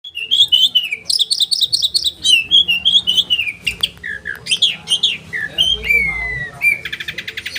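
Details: Oriental magpie-robin sharp rolling training song for caged birds, loud piercing whistles sliding down, rapid repeated high chirps, varied mimicked notes and a closing buzzy trill, with faint low hum behind.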